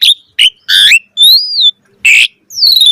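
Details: Asian pied starling singing with varied chatter: short harsh bursts separated by pauses, a clear high whistle that rises and falls, and a final long descending whistle.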